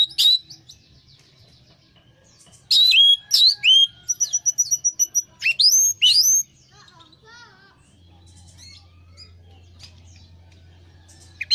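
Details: Orange-headed thrush lure song for a stressed bird that will not sing: sharp rising whistles and a dense run of quick varied notes in the middle, then quieter scattered chips over a low hum.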